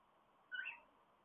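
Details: In a cockatiel nest box, a cockatiel gives one brief, bright chirping call over a soft, steady hiss.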